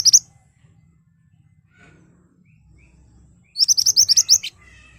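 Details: Ashy tailorbird in sharp, vigorous song used as a lure to draw replies: the tail of one phrase, a pause with faint low hum, then a quick run of about nine high, piercing notes.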